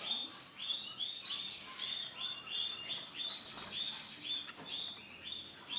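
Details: White male canary singing a continuous run of high, bright whistled and trilled phrases, notes rising and falling in quick succession with short rapid rolls between them.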